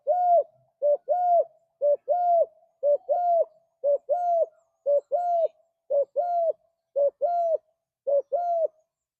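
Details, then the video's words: Spotted dove, a cage bird, cooing in a steady series of low, soft two-part coos, a short note followed by a longer one, repeated about once a second in a quiet room. "Tekukur Gacor Suara Merdu"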